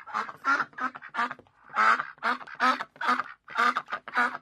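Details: A duck gives loud, raspy quacks almost without pause, about two each second, each one a buzzy nasal burst. No other sounds are heard.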